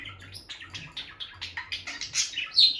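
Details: Chattering run of quick, bright chirps from a bonded pair of peach-faced lovebirds close to the nest box, rising in loudness to a sharp squeak at the close.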